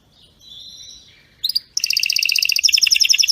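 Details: Canary singing a powerful, flawless tutor song: faint thin whistles, then a sharp burst and an intense fast trill of bright repeated notes that turns more chattering toward the end.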